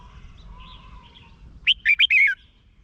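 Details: Red-whiskered bulbul song from Thailand, played to make caged birds lively. Quiet distant chirps lead into one brisk phrase of four mellow, warbling whistles, the final note dropping in pitch.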